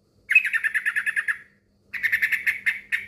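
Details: Male yellow-vented bulbul calling a rival: two quick bursts of about ten scratchy, rapidly repeated chatter notes, split by a half-second gap, with a faint hum beneath.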